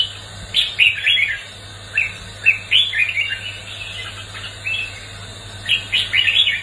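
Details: Red-whiskered bulbul giving a fighting song meant to stimulate and train other bulbuls. Quick, sharp, slurred notes are grouped in short phrases roughly every second, over a low steady hum.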